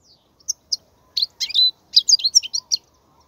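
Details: Goldfinch song played to teach young goldfinches: spaced single chirps that build into a tight cluster of bright, jingling twittered notes.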